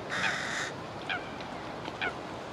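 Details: Carrion crow youngster begging from a parent that refuses to feed it; one long, harsh, rasping cry, then two faint short notes against steady background noise.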